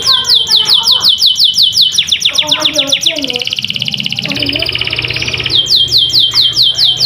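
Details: Canary singing a long, continuous song: loud, rapid rolling trills of repeated high notes that shift pace and pitch, with buzzy, rattling passages in between, and a faint low hum underneath.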